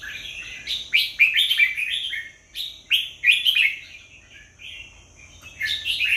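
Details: Song of a red-whiskered bulbul: lively chortling phrases of rapid, liquid whistled notes, loud and then softer, with brief pauses between bursts and a quiet, steady background.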